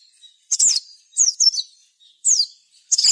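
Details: Sogon song intended to provoke other sogon to sing: four short bursts of sharp, high, downslurred chirps, roughly one every second, with faint thin tones lingering between them.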